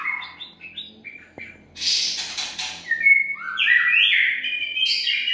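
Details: White-rumped shama (murai batu), a lure song ('pikat'): a lively run of clear whistled notes, some short and some drawn out into long rising and level slides, mixed with brief harsh buzzy bursts, loud and varied throughout.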